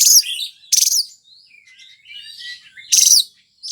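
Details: White-rumped shama in Indonesia, a sought-after songbird for contests, singing loud bursts of high harsh notes separated by softer warbling, twittering phrases.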